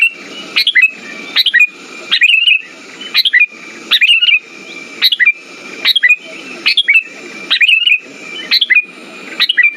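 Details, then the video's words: Sooty-headed bulbul lure song for silent birds: repeated crisp chirped phrases, around seventy a minute, each a rising whistle-like chirp followed by a bubbling warble, with gritty low crackling beneath. "Pancingan burung kutilang macet"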